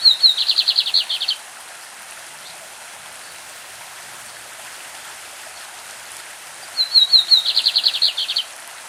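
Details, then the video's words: Lined seedeater, a Brazilian bird, singing its classic song with a stream in the background: short high whistled notes followed by a fast buzzy trill of descending notes, the phrase repeated about six seconds later over steady water noise. "BIGODINHO CAMPEÃO CANTO CLÁSSICO"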